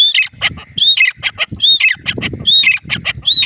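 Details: Grey francolin giving a loud, repeated call phrase: a high rising whistled note, then harsh squawking notes, returning a little under once a second.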